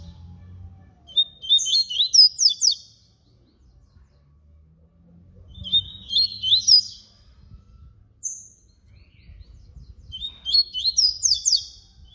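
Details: Flute-type song of the papa-capim baiano (yellow-bellied seedeater), three complete phrases about four seconds apart, each a quick jumble of clear whistles, buzzy notes and sharp rising strokes, silence between.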